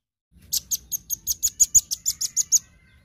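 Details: Velvet-fronted nuthatch singing vigorously in a daily full-voice tutor recording for training songbirds: a rapid series of about twelve sharp, very high chipping notes, roughly five per second, evenly spaced, ending abruptly, with a faint low rumble beneath.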